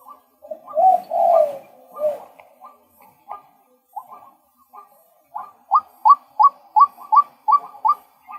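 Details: Male white-breasted waterhen calling: a few blurred, louder notes open, then short, clipped, sharp notes repeat at about three per second. The series grows louder and more regular toward the end. No other sounds stand out.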